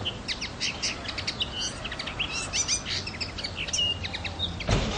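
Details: Common linnet song: a fast jumble of bright twittering notes and brief buzzy trills, continuing without pause against constant background noise, with a low rumble at the end.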